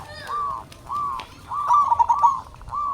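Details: Local zebra dove calling as a lure to set other doves singing; short, low, hoarse coos, then a burst of rapid trilled notes near the middle, over steady background noise.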